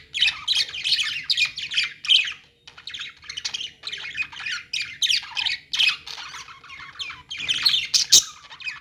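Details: Many budgerigars chirping in a pet store: dense, overlapping scratchy chatter and squawks in busy bursts, briefly dropping away near the middle before resuming, with a sharp click near the end.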